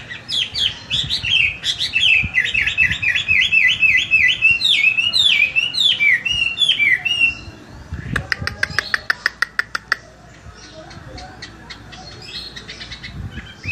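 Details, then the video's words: Chinese hwamei in full competition-quality song following a bath: loud, rapid sequences of repeated twisting whistled notes for about eight seconds, then a dry rattling clicking burst and softer scattered notes. "Hwamei Gacor Kualitas Lomba Selesai Mandi"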